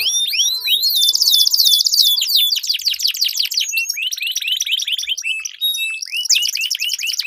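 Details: Canary song in a duel, used as a lure for competition birds: sweeping whistles give way to a dense buzzing trill, then varied rapid rolls, steady held tones and chattering phrases, loud and unbroken throughout.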